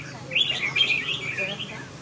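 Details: Short, clear, warbling phrase from a red-whiskered bulbul: a few slurred whistled notes run together and fading at the end, over a soft low hum.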